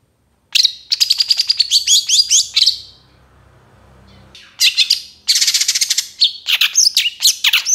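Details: Lure master recording of a young long-tailed shrike in moult singing richly varied song; fast rattling series of chirps and whistles, a pause with faint background hum, then more rapid buzzy bursts.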